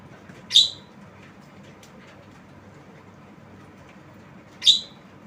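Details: Javan myna giving two abrupt harsh squawks roughly four seconds apart against low background hiss.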